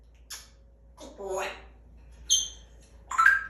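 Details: Pet talking African grey parrot, said to be going through puberty, mating season and the terrible twos, asking to be released after many time-outs; short voice-like bursts with sharp high whistled tones near the end, indoors, with quiet pauses.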